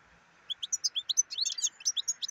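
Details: A black-headed goldfinch sings a lively, tinkling phrase. Crisp high chirps come at an even pace and then speed into a jumbled, buzzy twitter, all over a faint continuous hum.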